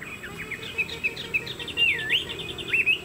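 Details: Fan-tailed, tall-postured Chinese hwamei kept as a songbird in Vietnam, giving bright whistled notes and a looping slurred phrase, with short chirps between them.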